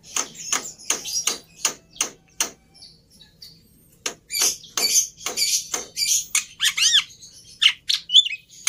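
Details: Black-winged myna, called jalak putih, singing: a string of harsh, broadband chattering notes in bursts with pauses, then a run of varied squeaks and rising whistled phrases near the end.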